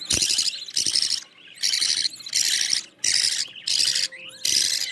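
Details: Budgerigar chicks of a green-line pair in the nest beg loudly as their mother feeds them: harsh, hissing, broadband rasps in bursts about half a second long, separated by short pauses.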